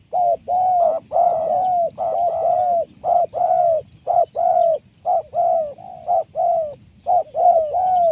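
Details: Wild spotted dove taken by trapping, prized for its strong call: a dense run of about a dozen coo phrases over eight seconds, short wavering notes alternating with longer smooth, slightly descending coos, low rumble beneath.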